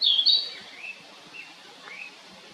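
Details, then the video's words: Narcissus flycatcher calling, two bright whistled notes near the start followed by softer, fainter slurred notes and a rising whistle later; quiet background. "キビタキの鳴き声The cry of the Ficedula narcissina"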